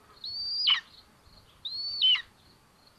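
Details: Nest-camera sound of Common Buzzard young sharing food at Tiszalök, Hungary, June 8, 2022: two clear, high drawn-out whistles, each ending in a sharp downward slur, about one and a half seconds apart.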